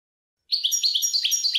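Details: Goldfinch song fragment: quick bright chirps and slurred twittering notes in rapid succession, high-pitched and continuous for about a second.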